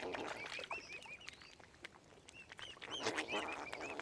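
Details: Tiny furry baby mute swan cygnets at Lough Neagh, Oxford Island Nature Reserve, Ireland, giving a busy stream of high, arched peeps, several in quick runs, with brief background rustles.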